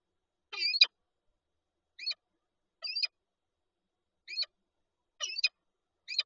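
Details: On 19 March 2022 at the Lublin, Poland falcon nest with an egg, a peregrine utters a rapid scatter of short harsh notes, some paired, irregularly spaced over six seconds, nothing else audible.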